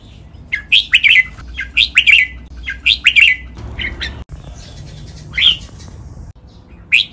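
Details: Training recording of a captive red-whiskered bulbul in the Pa La-u song style: three quick, similar warbled phrases in a row, then a pause broken by single sharp chirps, with faint background noise.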